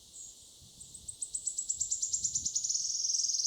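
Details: Wood Warbler singing at Gilfach Nature Reserve in mid-Wales in June 2024: high, thin ticking notes speed up into a shivering, slightly falling trill, heard before the bird was spotted; faint low background rumble.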